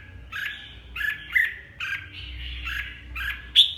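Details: Hue-type red-whiskered bulbul in captivity repeats a short looping warble about twice a second, each phrase bending up and down, ending on a sharper high note, with faint low background rumble.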